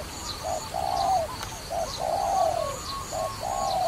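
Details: Dove cooing during trapping, a short low note followed by a longer drawn-out coo, the pair repeated roughly every second with a faint high steady hum behind.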